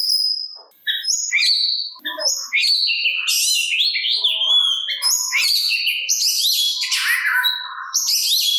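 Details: Oriental magpie-robin giving its provoking song to make other magpie-robins reply; a continuous, varied stream of whistles, quick chirps, rising slurs and rich buzzy high notes.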